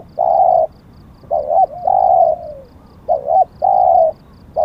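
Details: Spotted dove used as a decoy bird for luring wild doves in Thailand; a bird with auspicious plumage markings. Deep, hollow cooing phrases, each a short wavering note followed by a long steady coo, repeated about every two seconds, low background hum.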